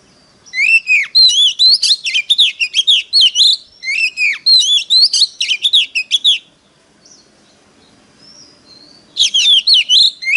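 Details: Oriental magpie-robin in singing contest, rapid varied whistled phrases with chirps and downward slurs for six seconds, a lull, then another loud burst.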